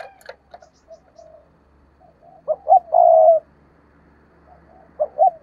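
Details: Decoy spotted dove calling. Soft, broken cooing notes build into a loud, rough coo phrase with a drawn-out final note. A second phrase begins at the end. There is faint low background rumble.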